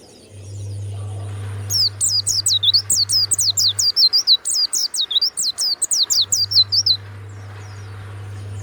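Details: Banyuwangi warbling white-eye kept for its loud, open 'ngeplong' singing, delivering a long, fast, steady run of high, thin, wavering whistles for about five seconds over a low steady electrical hum.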